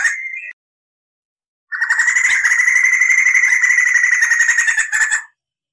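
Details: Crested laughingthrush song used to tutor cage birds: a brief whistled note, a silence, then a sustained rolling trill of about three and a half seconds.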